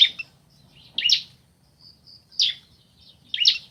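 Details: Bar-winged prinia pair, male and female, answering each other: three loud scratchy chirps about a second apart, with soft high whistled notes in between.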